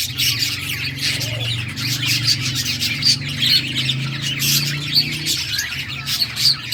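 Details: Several budgies chattering while playing: high chirps and squeaky warbles overlap continuously, with a low humming drone running under the whole passage.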